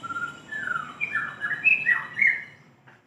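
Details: White-rumped shama calling a female with lively song: a steady whistled note, a descending slur, then a quick cluster of bright warbled and rising whistles fading out at the close.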